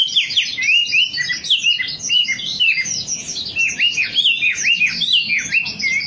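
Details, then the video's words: Wambi song used as a lure recording to get birds singing: a dense, continuous stream of quick high chirps and rising-falling whistled slurs, fast and unbroken for the whole stretch. "Suara pancingan burung wambi agar cepat gacor"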